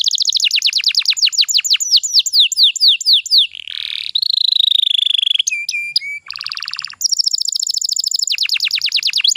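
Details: Canary singing as a lure for young canaries: rapid cascades of falling notes, a drawn-out buzzy trill, brief whistled pips, then more fast descending sweeps.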